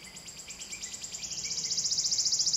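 A wood warbler's high, thin notes speed up and swell into a shivering, metallic trill, growing louder to the end over a faint low hum.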